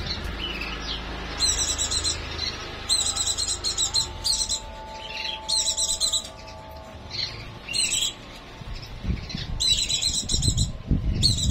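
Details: White-eye in breeding condition singing bursts of rapid, very high chattering notes, each about a second long and repeated every second or so, with softer warbled phrases between and low rumbling background noise.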